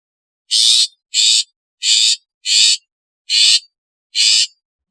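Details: Long-tailed shrike, in a collection of its natural, calling, alarm and lure sounds. Six loud scratchy, buzzing notes given at an even pace of roughly one every seven-tenths of a second. No background noise.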